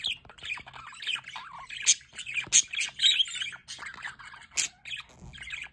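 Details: Aviary budgerigars by a solar water fountain chatter steadily, with rapid squeaky chirps and buzzy squawks at about one and a half per second.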